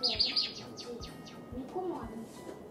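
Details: A pet white Java sparrow gets excited every night when a hair dryer starts, moving about and giving a quick run of high, bright chirps, then descending twittering notes, as if calling back to the dryer's steady whooshing hum.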